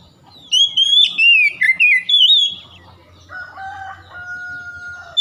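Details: Oriental magpie-robin song meant to stimulate singing: a run of loud, slurred whistled notes sliding downward over about two seconds, followed by steady lower whistled tones and faint background hum.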